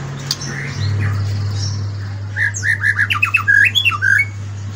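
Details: Morning song of a White-rumped shama: after a quiet start with a low electrical hum, a fast burst of sharp chattering and whistled notes rises in the second half.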